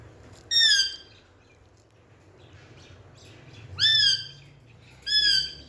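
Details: Indian talking rose-ringed parakeet playing with a mirror gives three loud, harmonic, slightly bending calls, each about half a second long and spaced irregularly, over a low steady hum.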